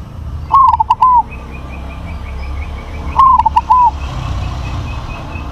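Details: Two strong stuttering coo phrases, under three seconds apart, from a crossbred zebra dove prized for a big voice. Faint high chirps from another bird repeat in the background.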